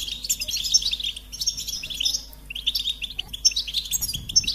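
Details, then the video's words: Bright goldfinch song of rapid chirps and tinkling trills in bursts of about a second, with short pauses and a faint knock near the end. "Experience the Goldfinch Singing"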